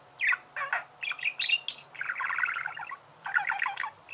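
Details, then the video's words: Budgerigar chirping with short scratchy calls, a high thin squeak, then rhythmic buzzy chattering phrases in quick succession. "Чирикает волнистый попугай"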